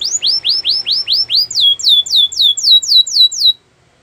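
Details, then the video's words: Canary training song: clear, loud, repeated swooping notes, each rising then falling, about four a second, ending abruptly in silence. "Melodies canary bird song"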